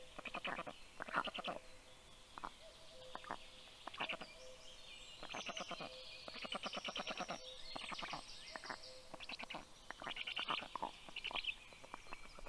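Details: At a Black stork nest in southern Estonia's Karula National Park, 6:06 am on 19 June 2023, the female delivers breakfast to the chicks. Repeated harsh pulsed bursts, some long and some short, sound against background songbirds.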